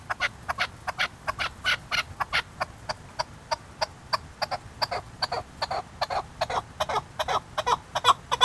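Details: Chukar partridge in Qubodiyon delivering a long series of crisp, clucking chuk calls, close to three a second, fairly regular, the notes rising in strength toward the close.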